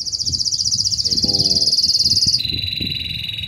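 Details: Intense yellow Belgian canary singing a lot: a long, very fast high pulsed trill that drops to a lower rolling tour, with low rumble and a faint buzzy sound beneath.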